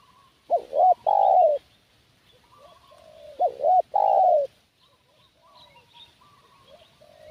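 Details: Two strong phrases from a spotted dove kept as a lure for wild doves, each quick hooked notes then a long, slowly falling coo, about three seconds apart, with softer coos and faint high chirps from other birds.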